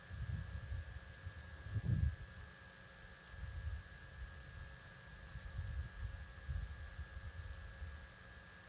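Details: Low rumbling noise with steady electrical hum and a few soft thumps, with no animal calls.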